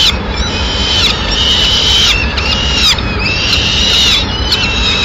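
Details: Peregrine falcon in Madrid on 6 May 2016, the female bringing a pigeon to the nest: drawn-out, whining, slightly wavering calls about a second long, repeated with short gaps, over a constant low rumbling background.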